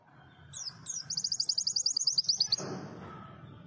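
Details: Small white-eye (pleci), praised as small but fiery-voiced, sings a rapid high twittering run of about twenty sharp chirps in roughly one and a half seconds after a few scattered opening notes, followed by low room rumble.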